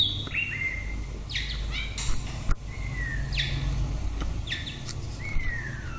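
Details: White-rumped shama singing: clear whistled phrases, several long notes gliding downward, mixed with quick rising sweeps and sharp chips, repeated every second or so over a low background rumble.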